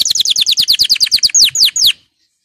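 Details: Excited male canary, readied for breeding, singing a fast series of about fifteen high downslurred whistled notes, the last few longer and more drawn out, ending abruptly.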